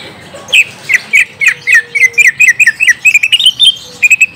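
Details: Greater green leafbird (cucak ijo) lure song, played to draw a reply from a young untrained bird: a continuous chain of varied short whistles and chirps, some rising and some falling, about four per second.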